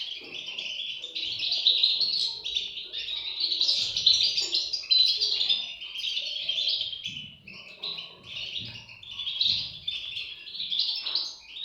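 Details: Young European goldfinches keep up a nonstop, high-pitched twittering chorus, rising and falling in loudness in several surges, with soft low bumps and rustles in the background.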